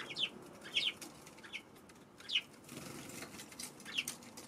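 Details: Eurasian tree sparrows on a March 16 afternoon, wary of a Godzilla figure set beside their feeding spot: four short, sharp high chirps spaced irregularly over a few seconds, with soft rustling and fluttering between them.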